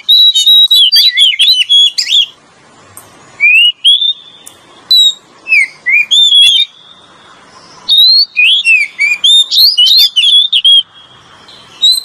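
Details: Oriental magpie-robin song used as a lure, male and female voices: rich varied whistled phrases, rising slurs and quick trills in bursts separated by short silences, loud and clear.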